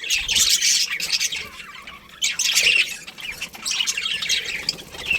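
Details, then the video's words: Breeding pair of budgerigars chirping: bursts of scratchy, buzzy chatter with sharp high squeaks, broken by a brief quiet gap near the middle, then another lively run of warbling chirps. "Love Birds Breeding Pair | Budgies Chirping Sounds"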